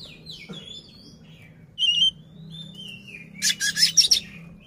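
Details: Tail-spread display song of an Oriental magpie-robin provoking an opponent: sliding whistles and a bright ringing note, then a cluster of harsh buzzy rasps at the end.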